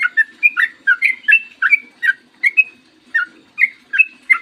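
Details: Morning song of a Yellow-vented bulbul used as a singing lure; steady string of rich, liquid whistled notes alternating low and high, roughly two to three per second, with light background hum.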